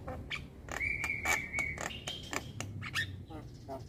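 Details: Young black-winged myna in continuous chatter while bobbing its head, mixing sharp clicks with a long, level whistle held for about a second, then a higher whistled note and more clicks.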